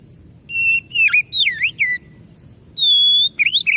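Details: Oriental magpie-robin singing: a varied string of whistled phrases, some bending down and back up, some flat, then a sustained pure high note followed by quick twisting slurs.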